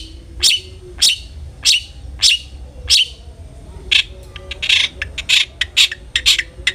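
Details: Long-tailed shrike lure song meant to prompt other shrikes to sing: five evenly spaced harsh scratchy notes roughly every 0.6 seconds, then a denser run of rasping chatter.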